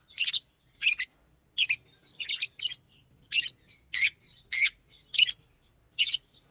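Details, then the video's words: Chirps from a green Fischer's lovebird, loud rasping notes about every half second, some doubled, all against a quiet background. "Lovebird singing and chirping sounds-Green Fisher"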